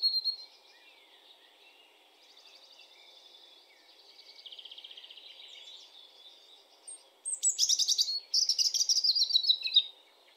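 A European robin sings high, thin warbling phrases, soft at first, then louder, sharper trills and twittering bursts near the end, with faint background hum.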